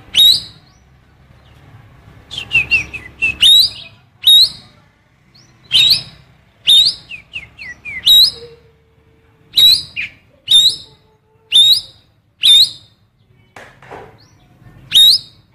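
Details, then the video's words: Songbird called cucak keling biru delivering female oriental magpie-robin calls, used to stir young or silent magpie-robins into singing. Sharp, upward-sweeping whistled chirps come in short bursts, about a dozen over fifteen seconds, with quiet gaps between them. "Cucak Keling Biru full Isian Kacer betina"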